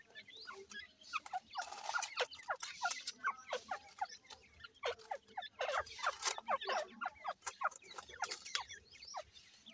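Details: Female grey francolin tending and feeding her chicks; a busy run of rapid clicks and short chirps in dense bursts, some rough and noisy, with soft twittering between them.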